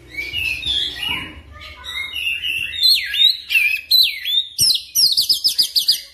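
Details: Oriental magpie-robin (kacer) lure song, used to prompt a bird to sing quickly in a continuous roll. Varied whistled phrases start softly, then grow louder with sweeping, slurred notes and a fast, even run of sharp repeated chips at the end.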